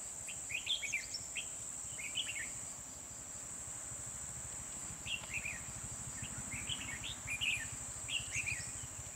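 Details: Red-whiskered bulbul singing at Kim Bôi, 24 December 2020, while being trapped with a decoy bird; quick chattering, warbled phrases come in scattered bursts throughout, against a constant shrill insect drone.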